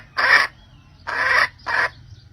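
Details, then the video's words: Red junglefowl hen calling the rooster, end of season: three separate harsh, squawking clucks, the first two longer and spaced almost a second apart, the last shorter, over quiet low background noise. "Tiếng Gà Mái Gọi Trống Cuối Mùa Cực Hay"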